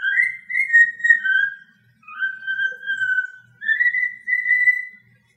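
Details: Cockatiel kept as a pet gives three sustained whistled phrases, each gliding gently up or down, separated by brief silences in a quiet room.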